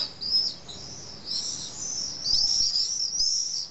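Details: Evening screaming of common swifts, 15 July, at a colony nesting low in the drain holes of a retaining wall in Nice, France. Thin, piercing trilled screams swell and fade, with a loud burst near the end.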